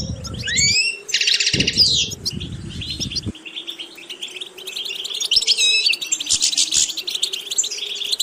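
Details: Goldfinch song from a bird being trained for a distinctive vocal character: bursts of buzzy, tinkling high notes and fast twitters, with brief low rumbling noise early on, then clearer chattering phrases over a faint hum.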